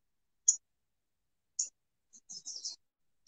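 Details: In the Toronto region just after breeding season, when singing is over and birds are feeding, an American redstart gives thin, very high chip notes: two single chips a second apart, then a quick run of several more.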